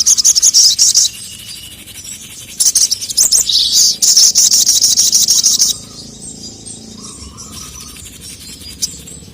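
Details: Sogon, female calling a male who answers in an agitated way; loud continuous high chattering trill for about a second, then a longer three-second run of rapid buzzy chirps, followed by near silence.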